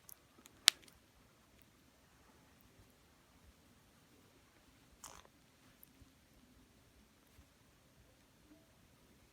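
A quiet indoor room with a few sharp clicks and faint tapping or chewing-like sounds, and no animal voice.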